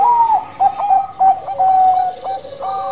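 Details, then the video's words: Lively Bangkok zebra dove singing to stimulate other birds: loud, clear fluted coos broken into quick stuttering beats, with sustained level notes between them. "Perkutut Banngko Gacor Suara Bekur Ampuh buat Pancingan"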